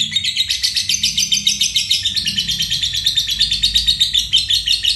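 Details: Continuous high, rattling ngekek trill from a fighter lovebird, the long-lasting song prized in competitions and for teaching other caged songbirds. Steady rapid pulses run throughout, easing a little lower in pitch midway.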